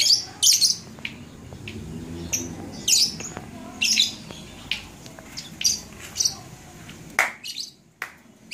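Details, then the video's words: Labet singing at Blokagung in Banyuwangi, January 2018, giving high, harsh chirps and squeaky notes repeated roughly every second, with a faint low murmur in the background. "Kicau Burung Labet"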